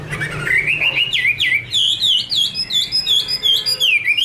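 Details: Chinese hwamei, a female performing 'te' with a male behind: a rising buzzy opening followed by evenly pulsed, looping whistled notes, about three per second, steady and loud throughout.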